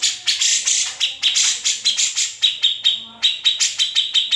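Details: Grey-cheeked bulbul in an original, unedited recording used as a training tutor for white-rumped shamas and greater green leafbirds. A rapid series of sharp, bright chattering notes repeats about every third of a second, steady throughout.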